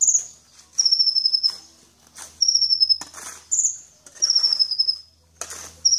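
A sunbird sings very high, thin, slightly falling trills of rapid notes, each phrase under a second, repeated with short pauses, with scattered clicks and rustles.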